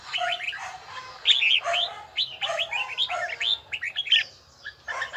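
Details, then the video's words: Red-whiskered bulbul in bell-toned voice training, a dense, lively warble of overlapping bright whistled and slurred notes, nearly continuous with a few brief pauses. "Chào mào luyện giọng hay nhất ||Nghe mãi không chán|| Tông giọng chuông đều chuẩn đúng nhịpnhất"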